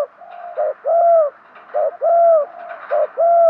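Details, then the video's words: Decoy spotted dove's luring coo: a crisp pattern of a short note then a long arched coo, repeated three times in quick, regular rhythm. "chim cu mồi thúc gù, chim cu gáy kích bổi mới nhất, cu cườm thúc gù giọng hay"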